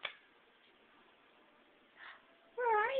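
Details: A pet monk parakeet (Quaker parrot) playing peekaboo with its owner gives a brief, nasal, wavering word in a voice-like tone after a quiet pause.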